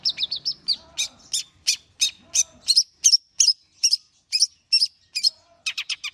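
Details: Long-tailed shrike in warm-up singing, giving a rapid string of sharp, high chips, about three per second, with brief tight clusters at the start and end.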